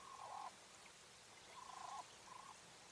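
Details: Coturnix quail hen of the English White breed making nasal, buzzy notes, each about half a second, three in three seconds, against quiet steady background noise.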